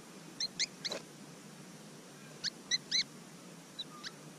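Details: Willie Wagtail fledglings, several lively young birds close to a GoPro Hero 5 camera near Mannum, South Australia; short, sharp, bright chirps in small clusters of two or three, about nine notes in four seconds, over faint steady hiss.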